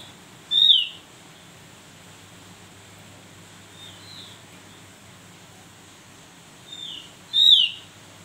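Javan grey-throated white-eye giving thin, high, sharply slurred notes: two loud ones about seven seconds apart and a few softer ones between, over steady hiss.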